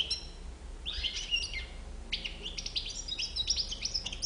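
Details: European goldfinch with a white bib, singing a quick twittering phrase of high, chirpy, tinkling notes, with a brief pause before a denser burst of rapid trills.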